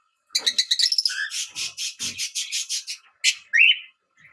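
A Fischer's lovebird chatters in a rapid run of harsh, high chirps, about six per second, ending in a couple of sharp shrieks.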